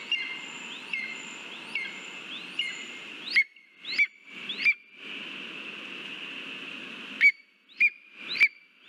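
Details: At a nest in Latvia on 13 August 2023, lesser spotted eagle calls during a mouse delivery. Short, piercing, upward-slurred whistles repeat roughly every half second to second over a constant electronic-sounding hiss.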